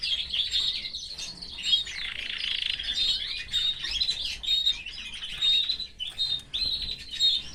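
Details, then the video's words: Caged canary with family members singing a rich, unbroken flow of high trills and sharp whistled notes, with a few short pauses between phrases. "Moments with this gorgeous canary and his family | Canary"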